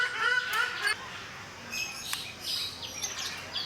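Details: Ruddy shelduck (Brahminy duck) in Mysore Zoo gives a nasal, honking call for about a second, then higher chirps from other birds follow.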